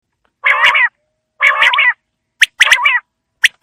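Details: Quail calling on a winter evening: two long nasal, harmonic squawks about a second apart, then a rapid run of sharp clicks around a shorter squawk, with a final click.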